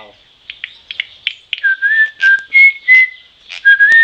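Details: Troupial song: after a few faint clicks and short buzzy notes, clear whistled notes follow in a steady series, some sliding slightly upward, one bright whistle after another with brief gaps.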